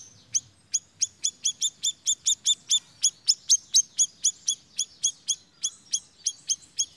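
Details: Siri-siri song used as bait for luring birds: clear, sharp, very high chirps, each briefly dropping in pitch, delivered in an even run about three per second for seven seconds against a quiet background.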